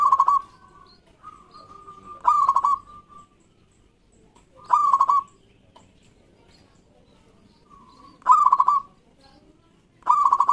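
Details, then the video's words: Loud local zebra dove song, meant to lure quiet doves into singing: short bursts of fast pulsing coos recur every two to three seconds, and a second, softer dove gives a drawn-out even coo in the gaps. "Perkutut Lokal Gacor Suara Lantang Ampuh Untuk Pancingan Perkutut Pendiam"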